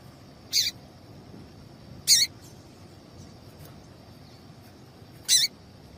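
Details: Female papa-capim seedeater call, used to get males singing: three sharp, buzzy, high chirps at uneven intervals of about one and a half and three seconds, over soft background hiss.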